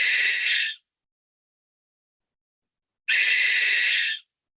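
Barn owl shrieks twice: harsh, hissing screams about a second long, three seconds apart, broad and noisy with no clear pitch.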